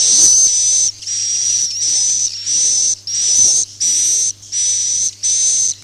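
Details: Swiftlet lure sound in the "Akau ngaji" style: a series of eight sustained, high, whistly chirping bursts, each lasting under a second with short gaps, steady and even in pitch, with a faint low hum beneath.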